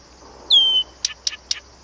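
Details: Blyth's reed warbler at Planta, Podlaskie Voivodeship, Poland: one clear whistle sliding down and levelling off, followed by three quick, sharp clicking notes, with a steady high hiss behind.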